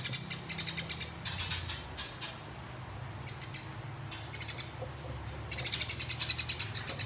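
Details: House sparrows fighting give harsh, high chirps in quick rattling bursts, each run of several notes breaking off, then a longer dense rolling chatter near the end, over a low background hum.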